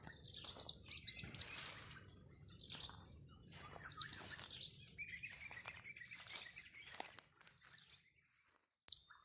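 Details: Blue-crowned hanging parrot being lured for capture: bursts of very high, thin, squeaky chirps in quick clusters near the start and again around four seconds, a lower buzzy trill between, and a steady high whine in the background.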